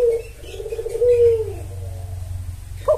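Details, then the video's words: Spotted dove calling as a lure for males: a single low mellow coo phrase, a short note then a long wavering coo sliding downward, with steady low background hum. "Pancingan Tekukur Memanggil Pejantan"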